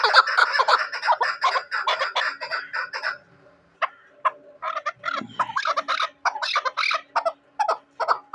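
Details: Hunting chukar partridge calling: a dense burst of harsh, overlapping chattering notes for three seconds, then scattered clucking notes separated by short silences, with a faint low rustle midway.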